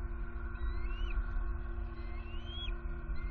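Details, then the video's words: Bald eagles on high alert at a Southwest Florida nest at night, 23 September 2020; two thin, slowly rising whistles ending in a quick drop, about two seconds apart, fairly soft against a constant hum. "Harriet & M15 On High Alert! Return Vocalizing To Nest At Night!"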